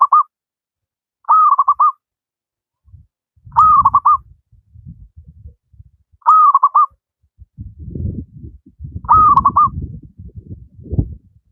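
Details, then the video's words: Energetic wild local zebra dove song meant as a master for lazy singers. Five stuttering coo phrases, each a hooked note followed by fast pulsed coos, repeat every two to three seconds, with low rumbling noise building toward the end. "Burung perkutut lokal alam gacor, cocok buat masteran perkutut yang malas berbunyi"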